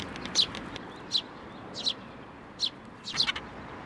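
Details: Sparrows at a Tenmangu shrine coming onto a hand to be fed, May 19, 2024; short high chirps spaced about every second over faint background hum.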